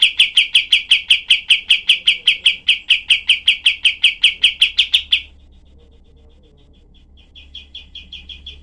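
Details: Kapas tembak, the cream-vented bulbul, delivering its rough 'tembakan' song meant for training other cage birds: some thirty even, sharp notes rattled off for five seconds, silence, then a quieter renewed run.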